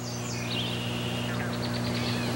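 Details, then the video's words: A Red-winged Blackbird heard in a marsh near a painted turtle gives thin, high slurred whistles, then a quick run of short repeated notes, over a steady low electrical hum. "it's the call of the red winged blackbird"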